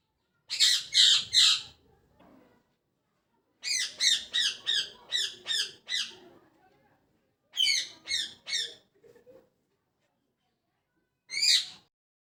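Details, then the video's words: Parrot chirping in the morning, likely a pet: bursts of loud, harsh, high squawking notes in quick series of three to six, with pauses between bursts and a final single note; faint low sounds underneath. "Parrot Chirping At Morning"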